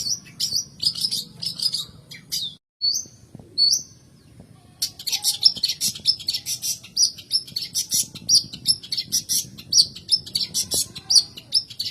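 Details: Long-tailed shrike song, used as a lure to get reluctant birds singing: dense, rapid high chattering, a short break with a few isolated notes, then continuous busy, scratchy chatter.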